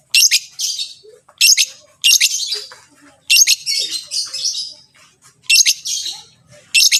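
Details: Long-tailed shrike, a recording used to make other shrikes sing: harsh, buzzy, high-pitched bursts in irregular clusters with short silent gaps between them.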